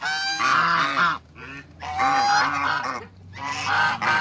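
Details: Three long, strident honks from a giant pair of African geese kept in a backyard, each drawn out for about a second, with short quiet gaps between them.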